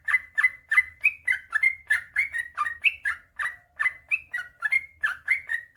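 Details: Sooty-headed bulbul in energetic 'gacor' song with long rapid 'ropel panjang' delivery: a continuous run of short, bubbly, slurred notes, roughly three to four each second, some rising and some dipping, with a faint low hum underneath.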